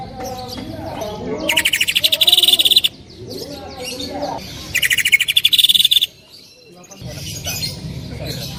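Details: Greater green leafbird delivering loud song: two bursts of fast, harsh repeated chattering notes, each lasting over a second, with softer low sounds and background noise between them.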